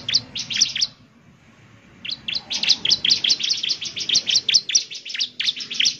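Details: ['Bar-winged prinia, singing energetically to prompt other prinias to respond: a short burst of high chirps, a second of silence, then a long steady chain of sharp, buzzy notes.']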